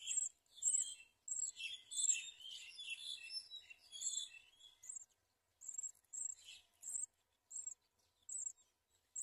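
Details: While feeding caterpillars to its young, a house sparrow is heard in a busy burst of mixed chirps, followed by thin, high, short notes repeated roughly every half second to second.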